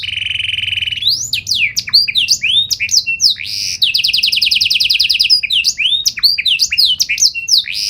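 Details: 'Gacor' canary singing 'nembak' bursts in special 'cengkok' style to get other canaries to respond: a steady buzzy trill opens into quick swooping whistles, then a bright, fast rattling roll and more slurred notes.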